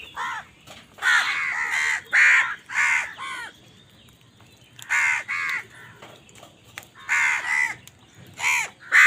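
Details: Loud crows squabbling over food: clusters of harsh, hoarse caws in bursts of three to five, separated by short quiet gaps, some calls overlapping as several birds call.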